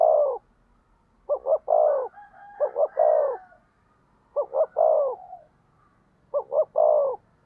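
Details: Spotted dove decoy calling to incite rival doves, five repeated phrases of two short coos and a longer one, with a fainter second dove cooing softly between phrases.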